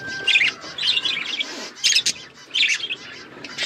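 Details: Hand-tame pet budgies chirping: short bursts of scratchy, warbled chatter separated by brief pauses, with a faint steady tone underneath at the start.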